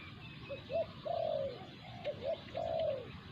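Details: Spotted dove in a territorial encounter with a wild resident bird drawn to a decoy. Soft, fairly distant coo phrases are heard, each of short clipped notes then a long falling coo, twice in quick succession over steady background hiss.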